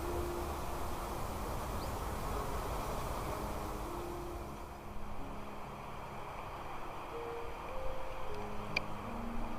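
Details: Steady low engine rumble with broadband hiss and a few faint hum tones, no animal voice present.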